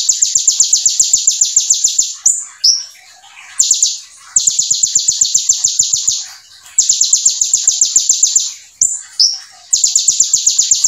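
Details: Brown-throated sunbird (konin, kolibri ninja) from Indonesia in full 'nembak' song with imitated bar-winged prinia (ciblek) material. Four bursts of very fast, high, rattling repeated notes, each about two seconds long, separated by brief pauses with short chirps.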